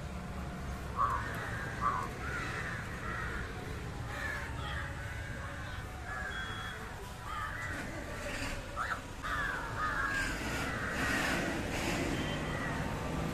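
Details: Rapid, rasping caws of an Indian jungle crow feeding on fish, delivered in loose bursts with a few short sharp notes, over constant low rumble and faint clatter.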